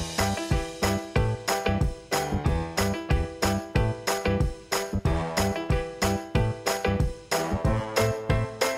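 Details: Upbeat music with jingling bells and a steady, regular beat of sharp percussive hits throughout, no animal voice heard.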